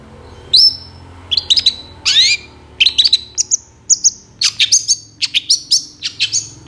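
Long-tailed Shrike giving a varied, scratchy song of sharp chirps, whistled notes and harsh buzzy bursts in quick irregular runs; a low hum sits underneath.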